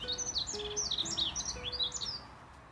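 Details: A Yellow-throated Bunting, a song often heard in March, sings a quick, high, twittering phrase of sweet slurred notes and short trills, about two seconds long, with faint steady tones behind.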